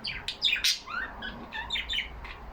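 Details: Caged budgerigars chattering among themselves, a quick burst of scratchy twitters, clicks and rising squeaks with short pauses between phrases.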